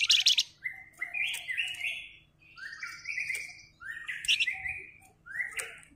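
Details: Sunda bush warbler singing actively in the dense 'ngebren' style: a string of slurred whistles rising and falling, each roughly a second long, with brief buzzy notes between them; faint low hum beneath.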